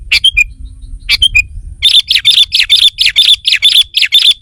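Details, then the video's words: Sooty-headed bulbul calls used to lure wild rivals: a few separate chirps, then a fast, busy series of bright repeated notes at a steady quick rhythm, with low rumbling noise underneath. "Suara Burung Kutilang Pikat GACOR SUKSES Memanggil Lawan! Kutilang Liar Auto Kumpul"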